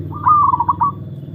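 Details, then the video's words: Kept zebra dove (perkutut) in a mental test gives a single song phrase: a bright opening note, then a quick run of bubbling coos that fades. A deep hum is steady in the background. "Tes mental burung perkutut"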